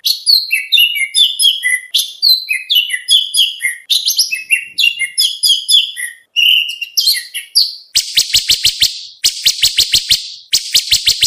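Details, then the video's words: Oriental magpie-robin training song for bird contests. A dense run of quick varied whistles and chirps gives way to loud harsh buzzy bursts, each made of rapid clicks. "Suara masteran Kacer lengkap materi mewah buat lomba"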